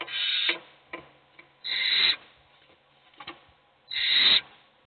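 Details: Nest-box owl chicks begging out of hunger, only one eating: three loud rasping hisses, with faint shorter scratchy hisses from other chicks in between.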